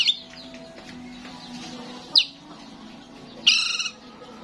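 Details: Starling call played to attract other starlings, described as a chatty, frequently singing bird: two loud, harsh, high bursts, one short and one longer with stacked tones, over a steady low hum.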